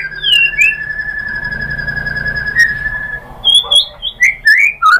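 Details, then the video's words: White-rumped shama singing as a provocation lure: a long steady pure whistle held for about three seconds, followed by a string of varied short whistled and slurred notes. "MURAI BATU Langsung NYAMBER EMOSI BONGKAR MATERI ¦ PANCINGAN MURAI ¦ SHAMA BIRD"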